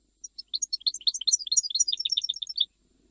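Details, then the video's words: Goldfinch singing in the Jijli style: a rapid twittering run of bright, tinkling notes and short buzzy elements lasting about two and a half seconds, then quiet. "تغريد مقنين جيجلي"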